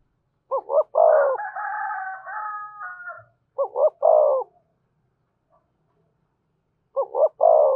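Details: Spotted dove cooing in the Vietnamese 'giọng thổ', 'thúc' and 'kèm' styles: short phrases of two quick low notes and a longer rolling coo, repeated about every three seconds, with a long rooster crow overlapping the first phrase.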